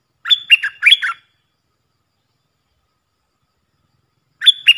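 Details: Puff-throated bulbul decoy bird, recorded to train young hand-fed birds: three to four sharp, bouncing chirps in a quick run, a pause of about three seconds, then the phrase begins again.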